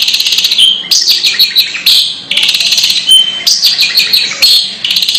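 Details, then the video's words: Odd vocalisation from a long-tailed shrike: bursts of harsh, grating, high buzzing, each about a second long, broken by brief gaps and mixed with thin whistled notes, the pattern repeating several times. "Suara Aneh Burung Cendet"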